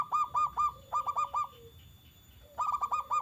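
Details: {'caption': 'Zebra dove, local perkutut stock, singing sharply to get other doves to respond: three clusters of rapid, clipped cooing notes separated by quiet gaps, with a softer low coo between phrases.'}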